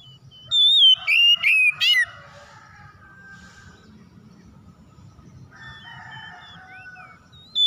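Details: Oriental magpie-robin song used as a lure to get silent magpie-robins singing: a loud burst of clear whistles, a high wavering note, then sharp downward-slurred chips, followed by softer distant whistles and a low background hum.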